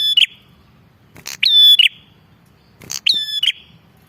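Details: Vigorous Bar-winged prinia lure call: repeated phrases of a dry clicky burst leading into a long bright whistle that closes in a harsh buzz, three heard.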